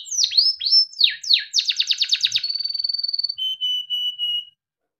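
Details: Melodic training song of a Timbrado canary: swooping downslurred notes, a quick run of repeated strokes, a steady rolling trill, then three level whistled notes.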